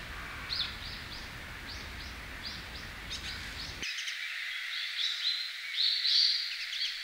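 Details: Varied Tit in a park in winter giving a stream of thin, high chirping notes, about four per second, over a background of low rumbling noise that cuts out halfway.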